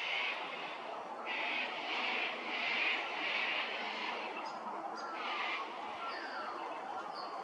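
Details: Little wattlebird (Anthochaera chrysoptera) at Hervey Bay, Queensland, calling a quick run of harsh, raspy barks, then one more, over a steady background hiss with thin high whistles from other birds.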